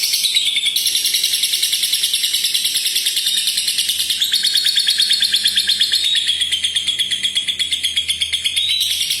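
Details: A lovebird pours out a long ngekek chatter, a dense, unbroken, high trill of rapid repeated notes with a gently rising and falling tone, lasting over nine seconds.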